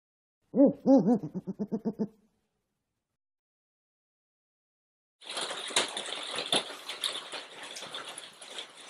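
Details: A captive female African eagle-owl guarding a stuffed toy she treats as prey gives a short run of low, hollow hoots that quicken and fade over about two seconds, followed by silence and then a stretch of rustling, scraping noise.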